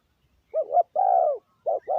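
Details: Decoy spotted dove calling to lure wild doves: two short low coos followed by a long drawn-out cooing note, then the pattern starts again, clear against a quiet background.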